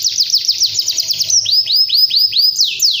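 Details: Canary rapidly repeats falling whistled notes, then switches to slower upward-curving slurs and a final long descending sweep, clear and loud.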